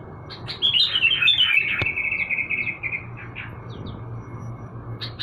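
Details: Sooty-headed bulbul being sunned in the morning: a bright, fast run of chirpy, warbled notes that slides down and then holds into a steady trill, with a faint constant tone behind it and scattered short chirps afterward.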